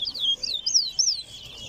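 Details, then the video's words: Chestnut-bellied seed finch (towa towa) singing in a bird-singing race at Lusignan Ground, Guyana: quick, sweet whistled warbles that rise and fall in loops, three bright phrases in a row with little background noise. "Towa Towa Race"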